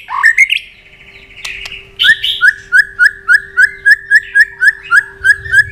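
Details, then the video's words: White-rumped shama worked up into an excited state, giving tạch clicks and flicking its tail: a few squeaky notes, then one short sharp note repeated about three to four times a second, with a faint constant hum behind. "chòe lửa đập tạch cực sung"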